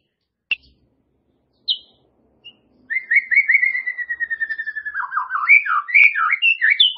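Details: White-rumped shama song: a few isolated sharp notes, then a fast stream of rich whistled syllables, first level and repeated, then breaking into varied rising and falling phrases.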